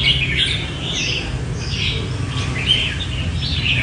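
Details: A captive, not-yet-ringed competition Red-whiskered bulbul sings bright, warbling chirps in quick bursts every half second or so, over a steady low rumble of background noise.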